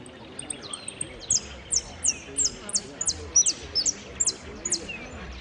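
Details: Contest saffron finch entered in the yellow 'sin cierre' category at Piran, 25 September 2016. A few thin, high ticks open the clip, then rapid bright chirped notes follow in a brisk, uneven string over a background of people talking.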